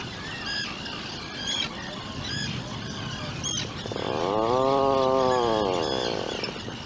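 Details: Atlantic puffins in a nesting burrow on Seal Island, a two-day-old chick with both parents: short high chirps and squawks from outside the burrow, then one long, low, drawn-out moaning call that swells and fades over about three seconds.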